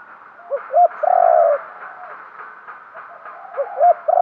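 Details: Spotted dove decoy cooing to entice wild doves. One full phrase of two brief notes and a long sustained coo; about three seconds later a second phrase begins and is cut off.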